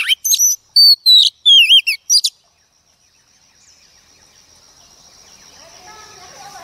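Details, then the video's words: A female Oriental magpie-robin sings to rouse males, delivering about two seconds of loud whistled notes, many sliding downward, with short chirps between, then silence giving way to a rising hiss. "choè than mái bổi lên kích trống quá hay"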